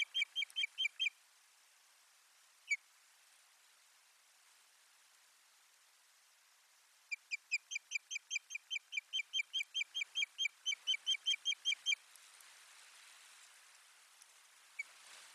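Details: Osprey at its nest on 1 May 2020, bringing soft material: a short burst of whistled chirps, a lone note, quiet gap, then a long rapid run of about twenty-five sharp whistles, and a final isolated call.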